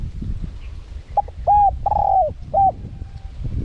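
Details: Spotted dove used as a lure for wild doves, singing the small-voiced 'karom pa' wild style with 'khat' and 'nun' phrasing. A brief note, a level coo, a long slowly falling coo and a short final coo, over low rumble.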